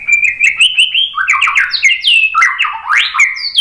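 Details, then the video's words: White-rumped shama lure song for prompting replies: a level fluty whistle leading into rapid varied phrases of sweeping, slurred notes that climb and drop sharply. "suara MURAI BATU bikin cepat NYAUT jadi GACOR"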